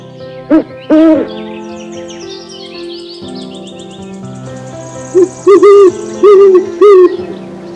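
An owl gives short, hollow, slightly arched hoots, two early and then four in a quick run, over steady background music.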